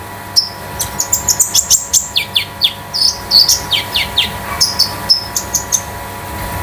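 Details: Kept Scarlet-headed Flowerpecker (konin damer) singing at home in a metallic, free-flowing trotol style for tutoring other birds. Rapid series of high, thin, sharp chirps and descending whistled notes, about twenty in six seconds, with a faint steady hum behind.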